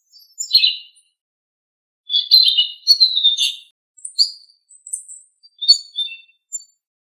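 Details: Blue-winged leafbird song meant to prompt caged birds to sing: one short chirp, a pause, then a chattering whistled phrase of about one and a half seconds, followed by scattered thin high notes and short twitters.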